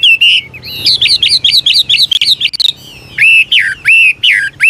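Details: Chinese hwamei, an old wild bird, sings changing phrases to prompt young birds: a fast run of looping whistled notes, a short pause, then slower, strong slurred whistles that drop in pitch.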